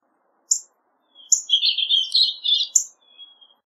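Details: Purple finch (Haemorhous purpureus) singing a rich, rapid warble of tumbling notes over about two seconds, opened by a few high sharp chips; otherwise quiet.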